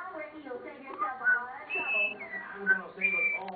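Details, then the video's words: A pet common starling, playful and biting its owner, talks and sings, mixing clear held and sliding whistles with speech-like chatter of mimicked words, possibly including "good bird" and an Andy Griffith tune; a person's voice may also be present. "Starling talking,singing"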